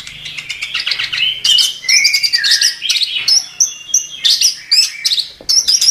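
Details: Chestnut-capped thrush in 'gacor' song, intended to tutor songbirds: chattering bursts followed by clear whistled notes and repeated high squeaky phrases, over a faint low hum.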